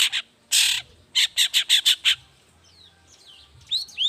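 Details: Long-tailed shrike singing in the morning as a lure for other shrikes: a loud burst of grating, rasping notes in a quick series of six, followed by faint thin whistles and sharp upslurred chips.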